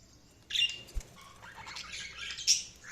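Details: A budgie chirping: a sudden sharp high squawk followed by a rambling, scratchy warble and a final bright peep, with one soft knock in between.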